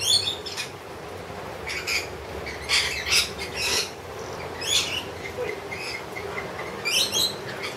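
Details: Wild lorikeets being hand-fed honey give harsh, screechy squawks in short bursts, several loud outbursts spread irregularly over about eight seconds, with soft background chatter between them.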